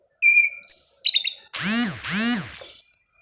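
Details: Oriental magpie-robin in the dawn dew, aired to keep it from over-arousal: two clean whistled notes, a rapid stuttered trill, then two harsh, raspy scolding notes.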